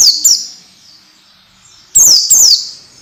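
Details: Training song for orange-headed thrush, aimed at getting young birds singing quickly and freely: two sharp high falling chirps, a pause of over a second, then two more, each note loud and ringing.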